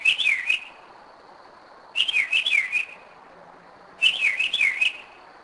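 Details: Kennesaw, Georgia, 2011: a Northern mockingbird sings at 2am at night from its usual spot, revisited over several years; warbling twisting phrases of about half a second, repeated roughly every two seconds, three times.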